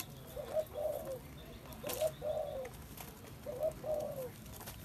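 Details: Spotted dove cooing in three repeated phrases about every one and a half seconds, each a quick short note leading into a drawn-out, gently descending low coo; faint clicks and hiss behind.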